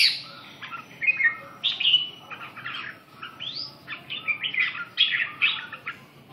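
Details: After waking up, a red-whiskered bulbul pours out a vigorous song of clipped chirps, rising whistled slurs and harsher squawky notes in quick irregular phrases, backed by a low background hum.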